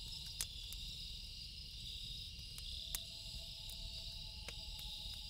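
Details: Loon calling at night: a long, pure, even wail that steps up from a lower note to a higher held tone, sustained for over two seconds, under a steady shrill cricket chorus and the sharp pops of a crackling campfire.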